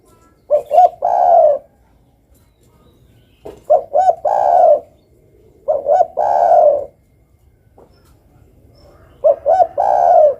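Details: Spotted dove performing energetically, giving four cooing phrases at slightly irregular intervals. Each has two or three short introductory notes and ends in a long, throaty, gently falling coo.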